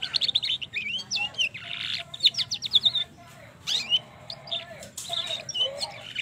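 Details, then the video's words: Canary at the trotol stage singing a long roll as a lure for other canaries, with bursts of fast twittering trills and whistled slurs broken by brief quiet gaps. "pancingan kenari trotol ngerol panjang"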